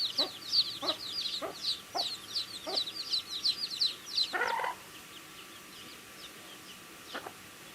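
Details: Young chickens eating, giving rapid high chirps in a busy overlapping chorus with pecking taps; a short louder knock occurs midway, after which the peeping thins to near quiet.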